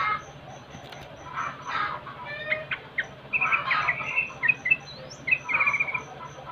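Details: Yellow-vented bulbul lure recording, used to make birds sing: bursts of bubbly, chattering mid-pitched phrases, loudest near the middle and end, over a steady series of thin high pips repeated throughout and a faint low hum.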